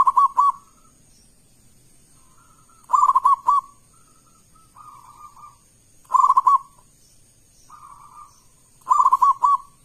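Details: Zebra dove, a local bird with a big, loud voice, singing as a lure for other doves: four phrases of rapid clipped coos about every three seconds, each followed by a softer, longer cooing tail, thin steady whine behind.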